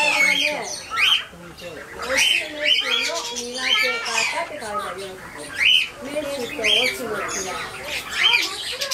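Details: Cockatiel (Nymphicus hollandicus), calls.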